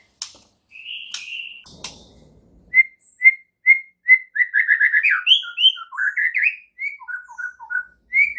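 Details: Morning training song of a white-rumped shama used to set silent shamas singing: after a few sharp clicks, evenly spaced whistled notes speed into a rapid chirping run and varied slurred whistles.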